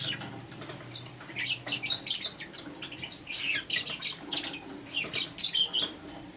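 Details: Pet lovebirds, green opaline Euwing and lutino, in the morning: dense, steady stream of high, scratchy, buzzy chirps repeated several times a second, almost without pause, over low background hum.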